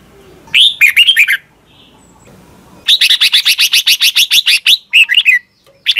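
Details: A Red-whiskered bulbul, played for young Thai birds to copy, gives a short warbled phrase. After a pause comes a long, even series of about fourteen sharp repeated notes, then a final rising chirpy phrase.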